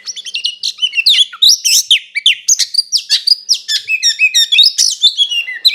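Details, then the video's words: A kacer's provoking fight song: a dense, nonstop stream of high swooping whistles, squeaky slurs and buzzy chatter, delivered in quick bursts of several notes per second. "SUARA BURUNG KACER GACOR NGEPLONG TARUNG KONSLET"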